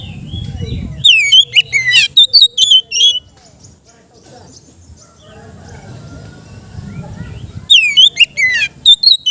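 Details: Kept Oriental magpie-robin singing in the relaxed, open ngeplong style, meant as therapy for untrained birds: bursts of loud, clear whistled notes sliding and warbling, a two-second phrase, a pause with low rumbling background, then another phrase.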